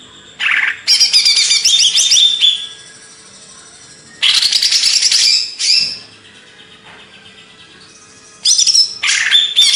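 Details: Greater green leafbird, Banyuwangi type, Indonesia, producing long bursts of fast, high twittering and buzzy notes, three loud phrases separated by quiet gaps of about two seconds.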